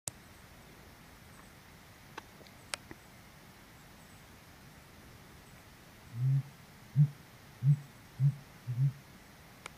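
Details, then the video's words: Sooty Grouse drumming on Mount Rainier, July 24, 2020: five deep, muffled hoots, one about every two-thirds of a second, after a quiet stretch with a few faint clicks. "Sooty Grouse Drumming"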